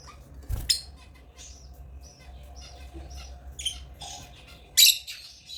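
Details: Chirping from African lovebirds, a scattered series of short, high, scratchy chirps of varying loudness, one louder burst near the start and a sharp loud chirp toward the end, with faint low room noise.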